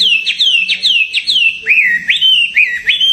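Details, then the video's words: Songbird kept in a hanging cage for contests, giving clear, falling whistled slurs in quick succession, then a few rising, upswept notes. "BURUNG GANTANGAN SIAP DI ADU"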